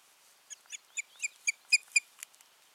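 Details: Osprey pair at their nest on 14 June 2019, after a failed nesting that season; a run of eight short, sharp whistled notes with bright overtones, evenly spaced about four per second, fading at the end.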